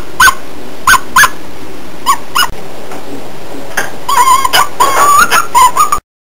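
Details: Pet cockatiel calling: a few short separate chirps, then a run of louder wavering whistled notes with rich overtones and slight upward bends, ending abruptly in silence.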